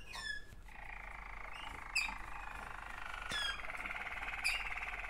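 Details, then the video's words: Waterslager canary, one of two sibling birds, indoors; sustained rolling trills near the middle register with harmonics, broken by sharp high rising whistle notes at about two-second intervals. "waterslager 2 αδερφάκια."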